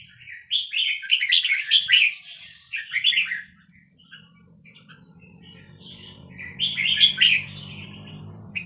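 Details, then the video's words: Red-whiskered bulbul chick of wild Vietnamese stock, recorded to be played for training young birds: a burst of fast bubbly chirped phrases, a long pause with low rumbling, then another chattering phrase near the end; a steady whine runs throughout. "ลูกนกกรงหัวจุกเวียดนามป่า ใว้เปิดฝึกลูกนก"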